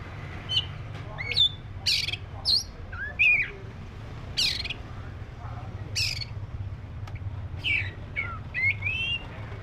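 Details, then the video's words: Black-breasted magpie-robin uttering scattered harsh, scratchy bursts mixed with short whistled slurs, spaced a second or so apart, over a low steady hum. "SUARA BURUNG KACER (DADA HITAM)"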